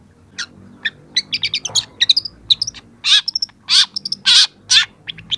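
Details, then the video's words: Young long-tailed shrike singing to prompt other young birds to respond: rapid high ticks and short whistled notes mixed with four long, loud, harsh buzzy bursts in the second half. "masteran cendet muda"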